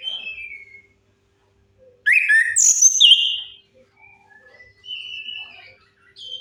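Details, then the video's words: Orange-headed thrush singing as a lure for birds that won't sing. A loud burst of clear whistles, including a high ringing note, then softer level whistled notes and brief twitters. "Suara pancingan AMPUH 100% untuk Anis Kembang Macet Bunyi"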